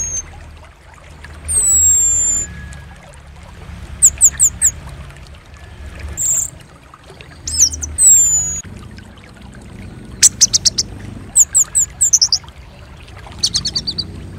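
Orange-headed thrush singing high, sharp whistled slurs and quick bursts of rapid repeated notes, broken by short pauses, over a faint low hum.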